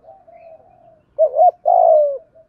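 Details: Spotted dove, thổ đồng song style with thúc, gù and gọi calls, used for exciting decoy birds and taming newly caught doves; a faint drawn coo, then a loud wavering double note and one long, steady, slowly falling coo.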